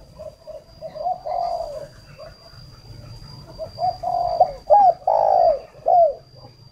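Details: Luring call of a decoy spotted dove from northern Vietnam. A quiet coo phrase is followed after a pause by rising activity: short soft notes, then strong hooked and long falling coos near the end. A low hum and a thin high tone are also present.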